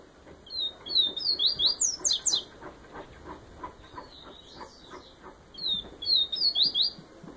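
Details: Yellow-bellied seedeater of the Bahian type singing in the Viviti style: a bright high phrase of sweeping whistles that ends in quick repeated notes, heard about 0.6 to 2.4 seconds in, a softer fragment, then a second phrase near six seconds, over a low rumbling background.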